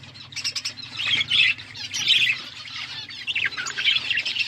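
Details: Budgies in an outdoor aviary set in a forest environment, eating seeds; a busy, buzzy chatter of overlapping warbled notes comes in bursts, with a faint low hum beneath.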